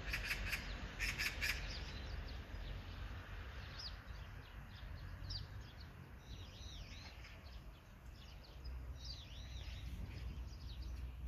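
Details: Magpie giving a quick series of harsh, scratchy chatter notes at the start, followed by a mix of softer whistled, arching chirps from other small birds over a constant low outdoor hum.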